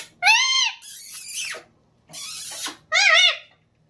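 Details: Pet green parrot imitating laughter: arched, nasal harmonic cries alternating with breathy, hissing bursts, separated by short pauses.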